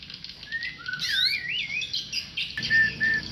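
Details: Tame white-rumped shama in song: low whistled notes give way to a rich, rapidly warbling phrase that swoops up and down, then a pause and a bright, sustained repeated whistle, with steady hiss behind.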